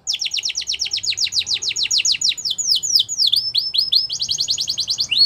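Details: Canary singing to encourage other canaries to join in: steady rapid series of high downslurred notes, slowing into broader swooping notes, then a fast trill again.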